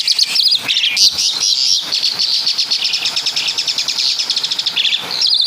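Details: Asian pied starling from Java delivering mimicked caladi and kapas tembak phrases: a long, steady, rapid rattle of high chattering notes running for several seconds, framed by sharper squeaky calls.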